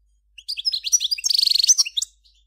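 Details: A continuous, fast phrase from a Major European goldfinch, recorded in 2014, mixes bright twittering notes with a dense buzzy trill in the middle, then closes with a few scattered chirps.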